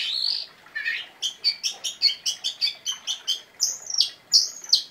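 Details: Oriental magpie-robin singing energetically with sharp phrases: after a short buzzy opening, a rapid, evenly spaced series of crisp high chirps, then two long ringing whistles that rise and fall.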